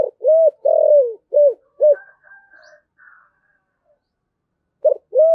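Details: Spotted dove singing in the 'giọng thổ sấm' voice style with 'thúc gù' cooing: a phrase of five hollow coos, a short note, an arched coo, a long falling coo, then two clipped notes, followed by faint higher twitters and a new phrase.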